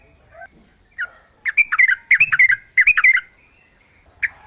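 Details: Lively chattering song of a yellow-vented bulbul, recorded outdoors as a lure to prompt other bulbuls to reply; a few soft notes build into quick clusters of bubbly, rising-and-falling phrases, with a constant high insect-like trill behind.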